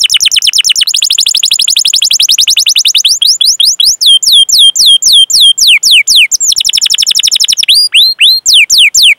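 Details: Canary lure song in the gacor rolling cuit-cuit style, meant to get young or non-singing canaries going: a very fast dense trill slows into evenly spaced downswept notes, then speeds up again.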